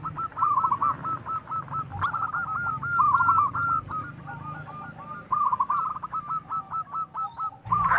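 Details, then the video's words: Zebra doves, local strain, loud and vocal, their calls used to draw other birds to answer. Eight seconds of rapid staccato coos, stuttering groups alternating with smoother rolled phrases, a dull thump near the two-second mark and a click at the end. "suara perkutut paling digemari langsung nyautt//Suara perkutut lokal gacor suara besar"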